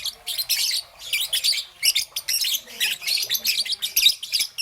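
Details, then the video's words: Green and yellow young peach-faced lovebird in the morning, giving rapid, rhythmic runs of shrill, buzzy chirps, several per second with brief gaps between bursts. "Relaxation of Lovebird's melodious chirping sound - Young Peach Face Lovebird - Green and Yellow"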